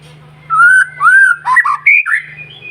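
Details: White-rumped shama song used as a morning lure for other birds: two smooth, rising whistles, then shorter warbled and whistled notes, over a faint low hum.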